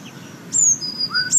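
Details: A Eurasian blue tit sings thin, high notes: a sharp descending whistle followed by a longer level high note, then a lower note and another high one.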